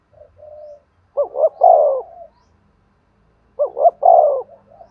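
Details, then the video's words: Repeated cooing of a spotted dove for decoy-bird training: a soft low coo, then two strong phrases of two quick rising notes and a longer descending coo, spaced about two and a half seconds apart. "tiếng cu gáy kích bổi và tập mồi hiệu quả"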